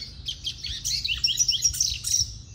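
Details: Captive one-year-old Double-collared Seedeater, raised in an aviary and separated for its moult, sings what the owner calls its own self-made song, a rapid run of high, sweet chirps and short trills, mostly unbroken, over faint hum.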